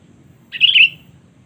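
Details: Sooty-headed bulbul calling to provoke rival birds: a lone bubbly, whistled phrase lasting about half a second, loud and clear above a quiet low background drone.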